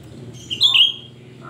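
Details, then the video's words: A shrill Cucak rante phrase meant to draw in other birds: two ringing whistled notes, the second dipping then flattening, over a noticeable low hum. "Cucak Rante gacor ‼️Suara melengking Cocok untuk Pancingan cucak Rante bahan"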